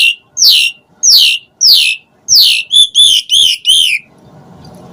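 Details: Asian pied starling in provocative varied song: four rasping falling notes at even spacing, then a quick run of bright chirping notes, ending in quiet background hum.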